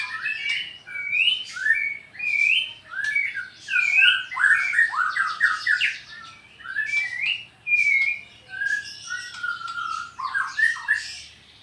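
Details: White-rumped shama of the Borneo Sarawak type singing a rapid kecor song while challenging a rival to fight: dense bursts of varied whistles, slurred rising and falling notes and harsh chattering phrases, almost continuous with short pauses, sounding indoors.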